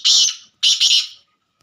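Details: Black francolin calling: two loud, harsh, rasping notes, the second split into a double burst, with clear silence between and after.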